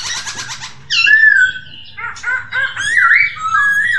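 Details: Masked laughingthrush singing in a recording for training caged birds: a quick chatter, then a clear slurred whistle and a run of choppy notes leading into a warbled, wavering phrase.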